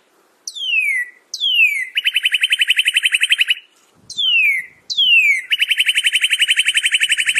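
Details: Northern cardinal song in two phrases. Each has two clear downslurred whistles followed by a long, rapid trill of identical short notes. The phrases are separated by a brief pause. Clean recording.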